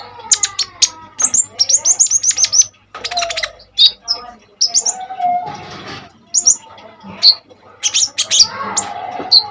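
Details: Common iora delivering a busy, energetic song used to train other songbirds. Quick runs of high chips and whistles are broken by rasping, noisy passages and twittered phrases, with a faint low hum.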